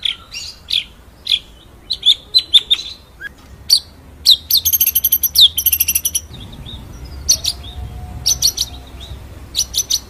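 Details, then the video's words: Murai batu (white-rumped shama) masteran recording, full ngerol and nembak: scattered high chirps and whistles, a dense burst of fast high notes midway, then sparse sharp upslurs over faint background hum. "MASTERAN MURAI BATU FULL NGEROL NEMBAK SUPER EDAN!!"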